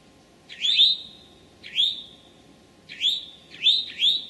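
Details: Eastern towhee in Massachusetts woodland, Sudbury or Marlborough, on a late morning of 25 May 2011: sharp rising whistles trailing into a sustained tone, one per second, the last ones paired closely.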